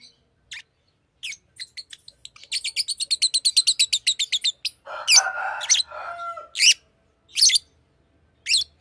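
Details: A Fischer's lovebird calls in sharp high chirps, then runs into a rapid even series of about fifteen clicking notes, followed by a harsher raspy stretch and a few spaced piercing chirps.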